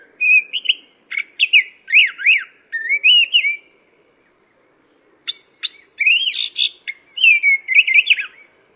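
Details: Black-throated laughingthrush delivering two long bouts of rapid zigzag whistles and buzzy notes, separated by a pause of about a second and a half, with a thin steady high hiss behind.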